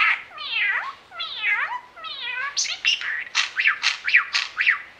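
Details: Captive pet budgerigar mimicking a cat's meow: a series of descending, harmonic meow-like wails, followed by quicker, sharper rising and falling squawky notes repeated about twice a second, against a quiet background.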